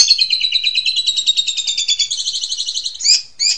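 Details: Asian pied starling, 'super ngentrok' therapy song meant to startle household magpie robins: a fast, buzzy, stuttering high trill running for about three seconds, then two short harsh squawks.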